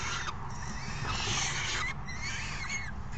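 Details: June 3, 2018: falcon young being fed by a parent after the other brings dinner, calling with harsh hoarse screeches and thin, wavering whistled squeals from more than one chick.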